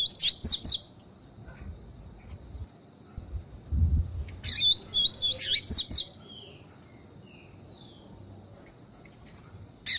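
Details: A female Lined seedeater call, played to warm up and train male seedeaters: high, sharp chirps and a quick run of tinny notes alternating with short silences; a faint low thump in between.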